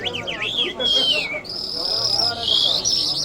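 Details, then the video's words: Wavering whistles from an Iranian jal lark (Mashhadi mast), then a descending note and long steady high tones, with murmuring voices in the background. "Jal Birds Iranians Lark Sounds | صدای طرقه، مشهدي مست"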